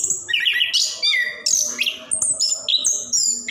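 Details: Orange-headed thrush, known locally as anis kembang or plontang, singing continuously for long periods to prompt lazy caged birds to sing: a fast varied run of whistled phrases, slurred notes and sharp high chips with almost no pauses.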